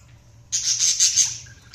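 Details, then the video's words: Budgerigar giving a single harsh, buzzy chirp lasting under a second, high-pitched and noisy, followed by a brief faint squeak; quiet room background with low hum. "Budgies Sounds| Budgies Chirping sound"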